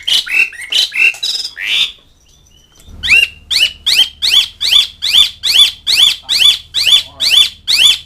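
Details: Asian pied starling calling to mates and rivals: a few harsh, scratchy notes, a short pause, then a steady series of rapid rising-falling chattering notes repeated more than twice a second, with a low hum underneath.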